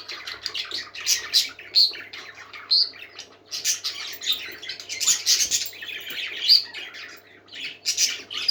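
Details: Parakeets singing happily, a mix of quick tweets, scratchy warbles and a few clear high piping notes, the chatter rising and falling in uneven waves, with a soft low hum in the background.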